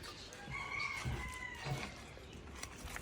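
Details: Rooster crowing around midday outdoors during a cooking session, a long drawn-out crow rising then holding steady, heard beneath low kitchen and background noise.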